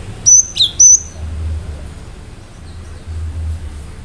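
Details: Cinereous tit singing sharply, meant to make listening birds answer: high whistle, a dropping slurred note, then another high whistle, quickly delivered, then low rumbling background.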